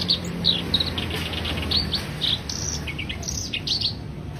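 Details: Black-browed reed warbler singing a rapid run of sharp high chirps and scratchy trills, some phrases dipping lower, with steady low-pitched background noise.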